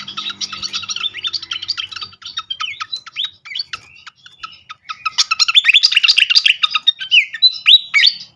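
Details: Malaysian pied fantail (srikatan kipas) lure song for triggering birds to reply: a fast stream of high chattering chirps, about three to four notes a second, swelling into a denser, louder burst of squeaky whistles near the end.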